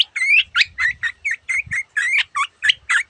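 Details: Long-tailed shrike in full song with mimicked phrases of other species, a steady run of about a dozen whistled, slurred notes that rise and twist, delivered at roughly four per second.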